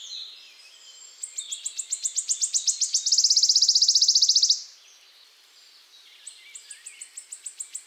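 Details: {'text': 'Wood warbler (Phylloscopus sibilatrix) song: an accelerating series of sharp high ticks running into a loud, dry shivering trill lasting over a second, then a pause before the ticking starts again.'}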